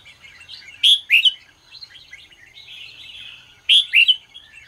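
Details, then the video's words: Morning song of a red-whiskered bulbul, used to train and stir other bulbuls; soft rambling warble broken by two bursts of loud, bright, down-slurred whistles. "chào mào hót sáng QUÁ HAY"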